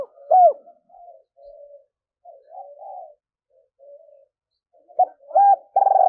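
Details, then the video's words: Female spotted dove used as a decoy, cooing to provoke males: a clear coo, then a run of soft, low, muffled coos, and louder coos again near the end. "cu mai gay kich boi nhanh noi"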